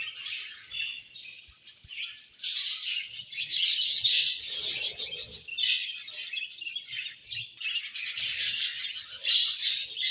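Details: Several budgies chatter while eating, with dense, fast, buzzy chirps and warbles that run almost without a break and grow louder after the first couple of seconds.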